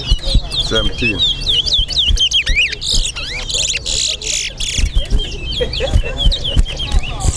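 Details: Competing towa towa finch in Guyana sings quick chains of whistled, up-and-down notes, broken by sharp clicks, hissy bursts and nearby human voices counting.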